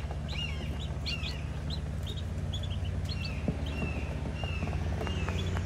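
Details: Penciled Call ducklings calling with high, thin, down-slurred peeps that come in quick pairs and singles roughly every half second, over a steady low mechanical hum.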